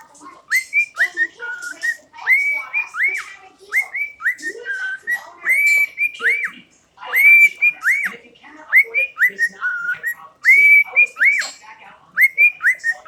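A cockatiel whistles a quick run of clear, bright notes, many rising then hooking down, strung into a repeating tune-like phrase.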